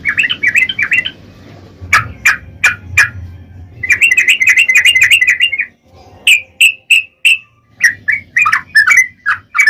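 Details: Trucukan, the sooty-headed bulbul, in ropel song: quick chattering bursts alternate with spaced, sharp single notes, over a steady low hum, with a brief quiet gap near the middle.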